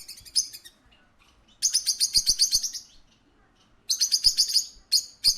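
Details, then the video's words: Parakeet at a pet shop giving bursts of rapid, high-pitched chirping chatter, pulsed notes packed into runs of about a second, separated by short pauses, with faint low background noise. "A parakeet at a pet shop"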